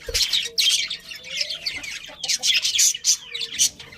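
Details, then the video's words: Happy budgerigars in a colony, chirping: busy bursts of bright, scratchy high chirps and warbling, several birds calling at once, with brief gaps between louder flurries. "Happy Budgies Chirping Sounds"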